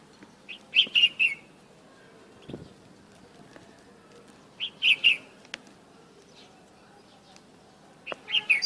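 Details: Bulbul singing outdoors in the morning, outside its cage: short bright warbled phrases of three or four notes, repeated about every four seconds, with quiet gaps between and faint background hum.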